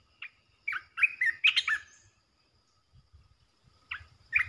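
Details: Resident red-eyed bulbul calling in the calling style: a single note, then a loud tumbling run of bubbly warbles for about a second, a pause, and two more short notes at the end.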